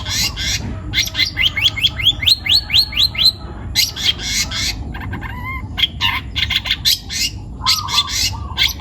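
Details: Young wild-taken long-tailed shrike in full song: a rapid series of upward-sweeping squeaky notes, harsh chattering blocks, scattered sharp clicks and a low buzzy trill, fast and varied in rhythm.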